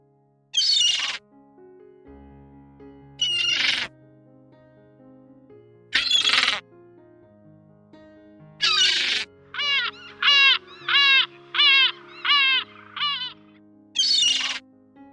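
Gull calls: harsh squawks and a quick series of ringing, rising-and-falling cries over background music.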